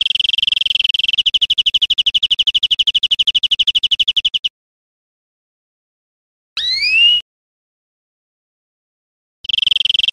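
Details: European greenfinch song used to educate caged birds: a long rapid trill of high repeated notes, then a single clear rising whistled note after a pause, then the trill starting again.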